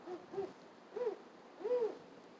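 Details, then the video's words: Owl giving a series of four brief hoots, each rising then falling in a soft arc. The hoots are spaced unevenly and the last is longest and loudest, over steady faint background noise. "Owl making owl sounds"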